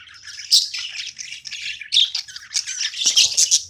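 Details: Budgie playtime: soft, raspy chatter punctuated by a few sharp, piercing squeaks, then a livelier burst of chirps at the end.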